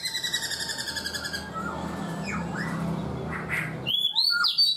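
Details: Caged black-throated laughingthrush, kept four months: a run of rapid buzzy pulsed notes, then sliding slurred whistles and a burst of high, bright whistled phrases at the end.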